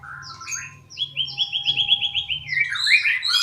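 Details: Magpie-robin singing sweetly: rich whistled phrases, then a fast even trill of about a dozen repeated notes, ending in a rising jumble of bright, squeaky twitters.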